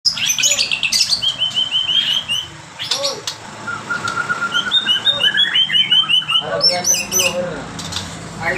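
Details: White-rumped shama in strong song, filled with mimicked calls of other birds including lovebird and canary; rapid varied whistles, trills and sharp chirps, many high and repeated in quick runs, with a steady low background hum.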